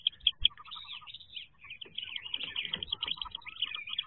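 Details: Wood duck ducklings inside a nest box on jump day in 2023, calling with dense, overlapping high, sharp peeps, a few louder single notes at the start, then a continuous chattering chorus.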